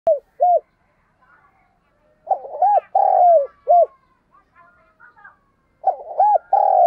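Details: Spotted dove used as a decoy bird to lure doves, giving loud low cooing phrases: short arched coos followed by a longer drawn-out note, in bursts separated by quiet gaps with fainter cooing from another dove.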